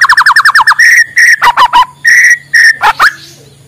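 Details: White-rumped shama singing in the morning, a song played to stimulate lazy birds to sing: a fast run of loud falling whistles, then longer clear whistled notes and sharp downward slurs, ending quietly.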